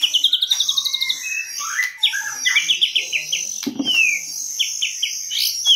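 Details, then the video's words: White-rumped shama song used as a lure, recorded 2022; a rich, varied stream of clear whistles, quick repeated chip series and rising and falling slurs, with rapid trills opening the phrase. "Pikat murai batu"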